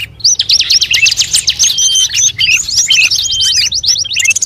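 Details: Bird calls meant to attract birds: rapid, rhythmic high chirps in quick runs, punctuated by short sweeping whistles, dense and continuous from start to end.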